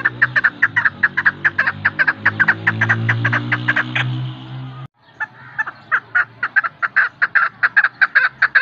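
A female chukar gives quick, clucking chuck notes, about two or three each second, over a low droning hum that stops halfway.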